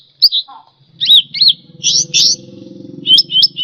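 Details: Indonesian grassbird, cucak rante, in lively full song used as a tutor for pet songbirds: bright, high whistled phrases with sliding, looping notes in quick bursts, plus a brief lower warble and a faint hum in the background.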